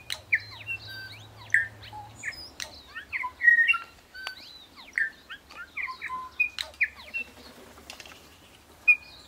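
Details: Bellbird (korimako) in native New Zealand bush near Greymouth, 8 April 2023, pouring out a dense, lively sequence of ringing whistles, liquid slurs and sharp chirps, with barely a pause between phrases and a faint low hum early on.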